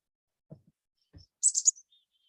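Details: Chickadee call or chip note, its "dee-dee" sound, given as a quick burst of three very high, thin notes with a faint trailing tail. A couple of soft low thumps come just before.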